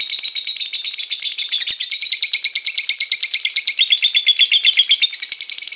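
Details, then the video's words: High, rattling ngekek chatter of a lovebird, used to lure other lovebirds to sing, with a continuous flow of quick scratchy notes and brief whistled slurs woven through the middle. "INI CARA MEMANCING BURUNG LOVEBIRD, PASTI BUNYI MENDENGAR VIDEO INI.. LOVEBIRD SINGING"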